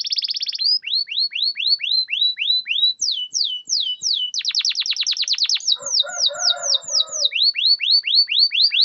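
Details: Canary song played to coax silent, lazy canaries into singing: a buzzy opening, spaced falling whistles, a tight burst of rapid notes with lower chatter beneath, then more clear downslurred whistles.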